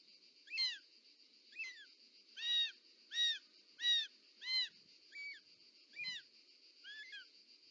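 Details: Female short-toed snake eagle at its nest in Parc Natural dels Ports, Catalonia, 18 July 2024, arriving with a snake: nine arched, mewing whistles, most about one per second, over a steady high hum.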